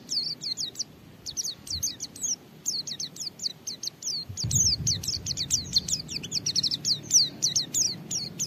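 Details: Persistent white-eye song meant to trigger other white-eyes to sing: a dense, nearly continuous stream of high, slurred, downward chirps and twitters, with a low rumbling background noise throughout.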